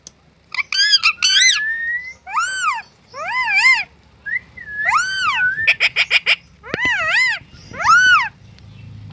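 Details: Pet talking parrot producing a string of wavering, rich harmonic word-like syllables and whistles, with a quick series of clipped repeated notes in the middle, in quiet surroundings.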